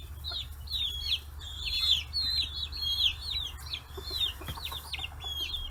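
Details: Flock of 40-day-old free-range chicks on fish heads in Kitahiroshima, Hiroshima Prefecture, Japan; repeated arching peeps, nearly one a second and overlapping from several birds, above a soft constant hum.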